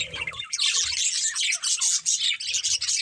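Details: Playing budgies pour out rapid, bright chirps and squeaky warbles in a near-unbroken stream, with brief dips between bursts and faint low bumps.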